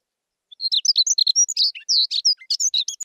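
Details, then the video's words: Himalayan (White-tailed) Rubythroat, a summer visitor to Gilgit-Baltistan, sings a fast, jumbled warble of high, varied notes and trills, about sixteen quick phrases crammed into under three seconds. "White-tailed Rubythroat (Calliope pectoralis)"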